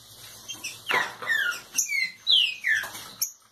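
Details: A Green-winged saltator warming up into aggressive song gives loud, clear whistled notes that slur downward, about five in quick succession, with a few sharp clicks between them.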